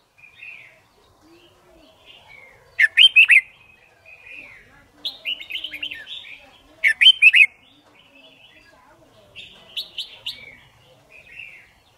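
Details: Red-whiskered bulbul song used to train birds and for competition: short sharp bursts of rapid notes alternate with softer warbled phrases, recurring about every two to four seconds in fairly quiet surroundings.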